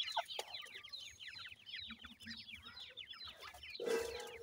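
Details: Several grey francolin chicks of the Sindhi form feeding, chirping in a busy cascade of brief falling peeps, ending with a louder drawn-out harsh sound over the chorus.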